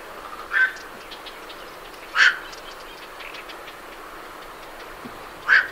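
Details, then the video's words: Night herons leaving a roost, recorded at medium-close range, give three abrupt, hoarse croaks spaced one to three seconds apart over a quiet background with soft warbler chatter. "Night Heron Calls / Night Heron. Calls MCU From Birds Leaving Roost"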